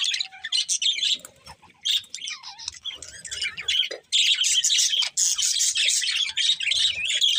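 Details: Chattering budgies: rapid, irregular scratchy chirps and harsh squawks, about two or three notes per second, growing louder and more continuous in the second half.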